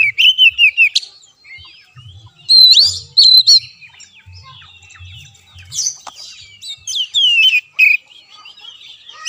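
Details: Oriental magpie-robin song aimed at a caged bird reluctant to sing: quick chains of clear whistled notes, scattered gaps, then loud sweeping phrases mixing rising slurs and lower warbles.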